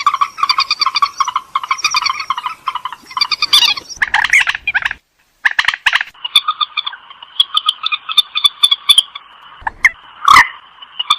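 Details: Purple swamphen giving long runs of rapid, nasal, harmonic chattering notes, then a steadier drawn-out nasal stretch, with a few sharp clicks and knocks between phrases.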